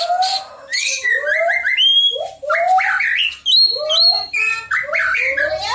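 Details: Shama song meant to set other white-rumped shamas singing: rich mix of low upward-sweeping whistles, high clear ringing notes and squeaky chatter in continuous phrases.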